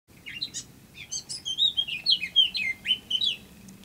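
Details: Recording labelled European robin, though the song is stated to be a blackcap's; taken 21 March 2015 around 07:33, a quick, high, wavering phrase of thin whistles, sliding notes and tiny trills over a faint hum.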